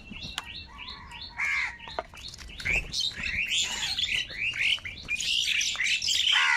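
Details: Large crowd of crows fighting for food, calling angrily: dense, overlapping harsh caws and squawks crowding in several per second, growing busier and louder toward the end, with higher chirps mixed through.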